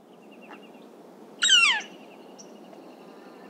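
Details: Northern flicker (Colaptes auratus) giving one loud, harsh, downslurred 'kyeer' call about a third of a second long, near Cincinnati, Ohio, with faint high chips and a thin steady tone behind.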